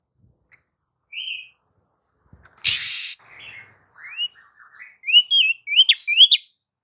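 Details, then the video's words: Female Oriental magpie-robin singing to trigger song from lazy males: varied chattering phrases, a harsh rasp, then rapid twisting whistled notes building into a lively warbling run. "SIULAN MAUT DARI KACER BETINA . PANCINGAN AMPUH KACER LELET DAN MALAS BUNYI"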